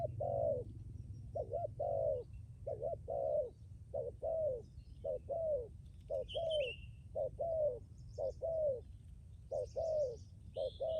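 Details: Caged spotted dove used as a decoy, cooing persistently: about ten two-note phrases, a short note then a longer falling coo, roughly one per second, with scattered high chirps of small birds.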